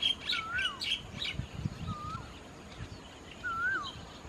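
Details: White-vented myna feeding on Ficus rumphii figs in rice fields at Ban Thai Talat, Khao Yoi, Phetchaburi, Thailand, 28 March 2016: looping, slurred whistles repeated every second or two among sharp high chirps.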